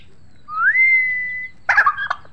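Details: Turkeys gobbling: a long, smooth whistle rises and holds steady, then a short, loud burst of rapid, rattling pulses lasts about half a second, with a faint low hum underneath.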